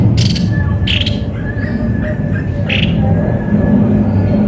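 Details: Three loud harsh squawks from a cucak kopi-kopi, spaced about a second apart, with faint thin whistles between them and a steady low hum.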